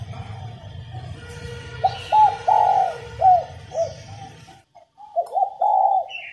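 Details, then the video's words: Cooing of a female spotted dove meant to stimulate males to call: a phrase of short soft notes swelling into a long coo, a brief break, then another rising series ending in a sustained coo. A faint hum is underneath. "Cu mái gáy kích bổi nhanh nổi, kích trống gù khách"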